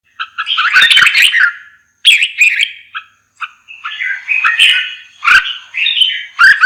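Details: Lively red-whiskered bulbul singing: repeated chirpy warbled phrases with abrupt starts and short pauses between them, mixing clear whistles with slightly harsher notes.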